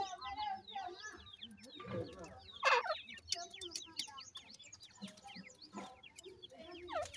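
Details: Many captive grey francolin chicks peeping together: rapid, overlapping, high descending cheeps with a few louder bursts and scattered thuds in the background.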